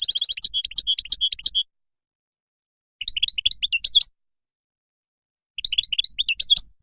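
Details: Moroccan goldfinch song in three separate bursts, each a quick string of high, tinkling chirps and slurred twitters, divided by silent gaps of over a second.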